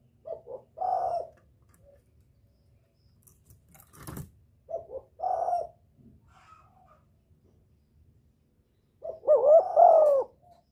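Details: Spotted dove luring a male: soft double coos followed by a fuller note, repeated twice, one sharp click between them, then a louder rising and falling coo phrase near the end.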